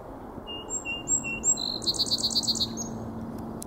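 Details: At South Meadows on 18 March 2024, a song sparrow sings: a series of high whistled notes, then a quick, regular rattling trill and a short final note. Steady low background hum underneath.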